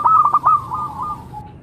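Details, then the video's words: Zebra dove of the local type giving a fast run of clipped coos that slides into softer drawn-out trilling notes fading away, with a quiet background. "Suara Burung - Perkutut Lokal"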